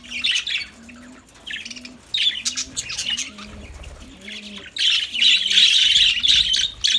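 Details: Lovebirds singing in bursts of high, scratchy twittering and squawks, while a low, soft cooing repeats steadily underneath.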